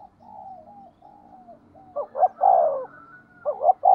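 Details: Spotted dove used as a decoy to lure wild birds: several soft, low coos lead into loud double hoots and a long resonant coo, repeated near the end over a faint low hum.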